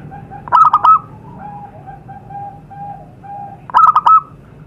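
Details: A wild zebra dove in nature, heard as lure audio: two stuttered bursts of three to four mellow coos, with soft, long, level tones between them.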